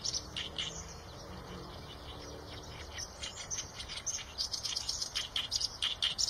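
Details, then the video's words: Eurasian tree sparrow calls: faint scattered chirps at first, then a denser run of short, high, bright chirps over the last few seconds against steady background hiss. "tiếng chim sẻ đồng cường phạm"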